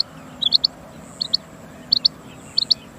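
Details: Rain quail calling in clear, high-pitched paired chirps, the two-note groups spaced roughly every two-thirds of a second, with faint background hiss.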